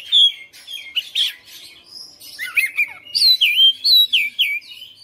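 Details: Oriental magpie-robin kept at home, a persistent fighter-style singer, delivering loud bursts of sweet whistles and slurred downward notes with short gaps, then a rapid series of ringing phrases.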